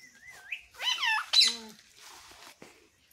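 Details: Pet talking parrot giving a rising whistle, then a burst of warbled, speech-like harmonic syllables and a sharp squawk, followed by faint rustling.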